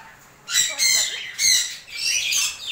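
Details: African grey parrot kept at home and offered okra, uttering several loud, grating screeches in quick succession, each lasting a fraction of a second.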